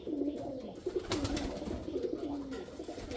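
A male pigeon gives soft, low, throaty coos, several rolling notes in a row, with a faint background hiss.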